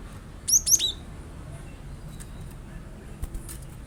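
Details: Cinereous tit: a tight burst of three or four sharp, high, downslurred chirps within half a second, followed by faint ticks and hiss. The recording is intended to coax a kept bird into singing.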